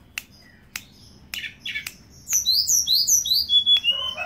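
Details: Hill blue flycatcher singing vigorously (gacor): a few sharp clicks, then a run of high, clear whistled notes, many sliding downward, phrased quickly and overlapping near the end.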